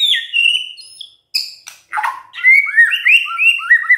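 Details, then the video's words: White-rumped shama singing gacor: a high drawn-out whistle, a few harsh noisy notes, then a rapid chain of looping whistles. "DENGERIN INI MURAI BENGONG LANGSUNG BUNYI GACOR"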